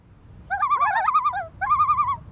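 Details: Common Loon tremolo, a call given when agitated, on its breeding territory: two fast, quavering, laugh-like bursts, each about a second long, with a wavering mid-pitched tone and a brief gap between them.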